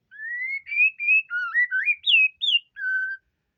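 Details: White-rumped shama singing persistently: a clear whistled phrase of about eight notes, rising and falling in pitch, slurred upward and downward, ending on a steady low whistle. No other sounds.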